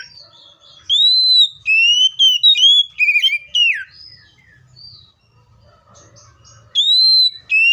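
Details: Seychelles magpie-robin singing loud arched whistles and fluty trills in a quick phrase, a quieter gap, then more arched whistled notes.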